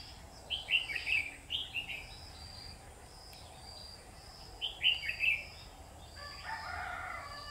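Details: Red-whiskered bulbul used as a decoy in a bird trap, recorded 12 August 2019; short bright warbled phrases in two groups of three quick notes, separated by a pause, over steady background hiss and a low buzzy noise near the end.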